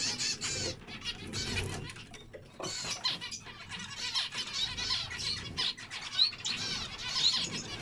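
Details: Zebra finches producing bursts of nasal, buzzy calls, with a quieter pause near the start and a few thin high whistles toward the end.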